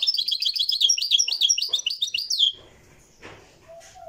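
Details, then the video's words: Moroccan goldfinch, a European goldfinch, singing live: rapid tinkling twitters and trills for about two and a half seconds, then ending into quiet room noise. "تسجيل حي يجسد اعادة احياء تاريخ تغريد الحسون المراكشي"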